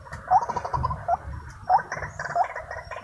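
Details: Wild white-breasted waterhens agitated during trapping with a decoy: harsh, rapid repeated calls in uneven bursts, with low rumbling noise beneath.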